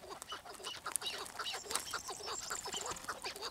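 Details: Keklik, the chukar partridge, calling with quick repeated low chuck notes, each short and slightly rising, nearly three a second, against a background of higher faint chirps and hiss.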